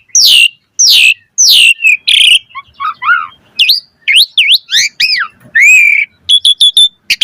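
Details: Asian pied starling used as a singing lure: three loud falling sweeps, then soft low whistles, bouncing rising-and-falling notes, a long steady whistle, and a quick string of high chips.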